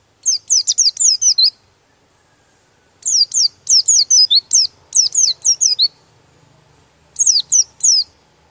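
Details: Oriental white-eye giving a rolling song said to provoke rival birds, delivered with beak open; fast trills of high, downslurred whistled notes in long bursts, broken by brief pauses, in quiet surroundings.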